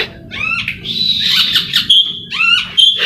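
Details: Oriental magpie-robin kept for song contests, giving a short burst of ringing whistles and sweeping upward notes, with a steady high tone running through, over faint low background hum.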